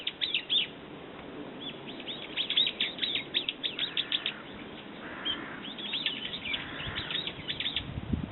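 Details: Brown-eared bulbul giving dense bursts of shrill, chattering notes, many short high downslurs packed together, with brief softer gaps between bursts and a low rumble at the close.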